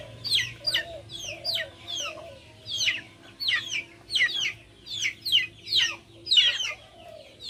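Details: Backyard chickens give a steady run of bright, falling peeps about every half second to second, mixed with gentle low warbling clucks.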